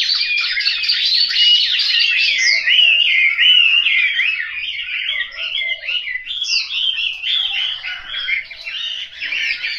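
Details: Caged Chinese hwamei from a Hanoi household in Vietnam, singing a long unbroken sequence of rapid, rich warbles and sharp rising whistles, loud and sustained for nearly ten seconds.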